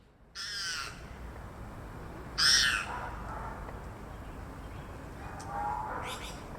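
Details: Grey parrot gives a raspy squawk, a louder harsh screech with whistled tones, then a short rising whistle and a final squawk, over a steady low background rumble.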